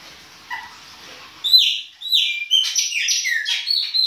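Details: Chopi blackbird, baianinho song style, singing in winter: faint notes at first, then loud clear whistles that slide down in pitch, followed by a rapid tumble of bright chirps and whistles.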